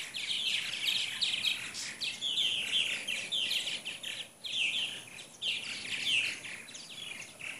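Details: A morning flock of roughly 75 purple martins in Katy, Texas, in 2014, soon to migrate to Brazil, pouring out continuous high chirping chatter in rapid clustered bursts, several birds calling at once.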